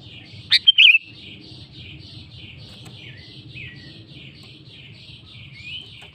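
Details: Sooty-headed bulbul calling a rival, delivering one quick bubbly phrase of three slurred notes near the start, set against a continuous rhythmic chorus of high repeated notes and a low rumbling background.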